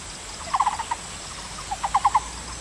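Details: Taiwan barbet singing two quick bursts of five hollow, low, clipped notes, the second burst rising slightly in loudness, about a second apart over a steady faint hiss.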